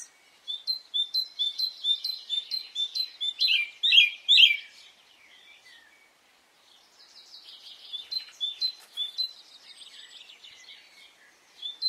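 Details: Birdsong on a spring morning in Brittany: quick repeated high whistled notes, a louder burst of jumbled phrases, a short lull, then softer twittering resumes.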